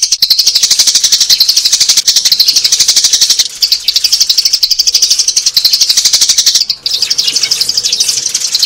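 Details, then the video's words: Adult sparrows calling, a recording used as a lure for trapping old sparrows in this season: dense, continuous high chirping from many overlapping birds, rapid notes about four per second, with brief dips near three and a half and seven seconds. "TIẾNG CHIM SẺ GIÀ"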